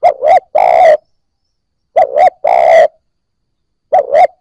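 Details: Rhythmic cooing of a spotted dove to prompt newly caught birds to call: the short-short-long phrase, low and hollow, comes roughly every two seconds with quiet gaps between.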